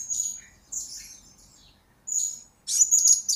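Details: Blue-crowned hanging parrot used as a lure and master recording for training birds: thin, very high sibilant chirps and short buzzy trills in separate bursts with pauses between, clean background.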